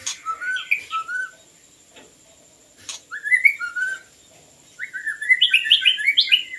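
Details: White-rumped shama song for attracting birds: clear whistled couplets, a pause, looping rising phrases, then a fast jumble of sweeping high notes, with a faint steady background tone.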